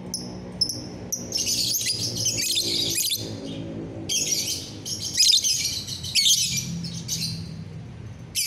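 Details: On a sunny morning of 30 November 2021 a lovebird sings gacoran style: long runs of scratchy, buzzy high twittering broken by brief pauses, a few thin whistles at the start, low hum behind.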